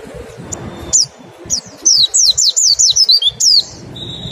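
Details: Pleci, a mountain white-eye, singing 'nembak' as a singing lure: a few spaced high chirps lead into a quick run of shrill down-slurred notes, then a steady thin whistle-like tone after the song stops.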